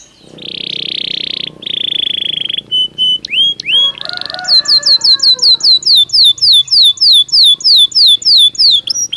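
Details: Naturally singing Belgian canary: long buzzy high rolls, then a few separate whistled notes. These give way to a long, steady run of rapid, rising, ringing syllables repeated about three times a second.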